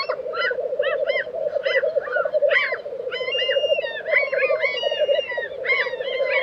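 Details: Black grouse lek chorus in Sweden's Tiveden, April 2023: an even bubbling hum runs throughout. Overhead, other birds give quick repeated chirps and a thin rising and falling whistle.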